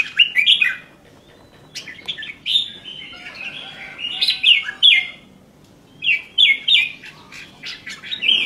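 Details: Red-whiskered bulbul kept as a cage bird delivers lively whistled song phrases, with fluty upslurred and downslurred notes strung together, then a pause and a fresh burst of three or four bright notes.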